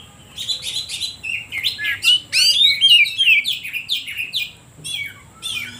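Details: Oriental magpie-robin song played to provoke other birds and prompt silent ones to sing: a rapid, varied medley of chirps, trills and downward-slurred whistles, about three notes per second, pausing near the end.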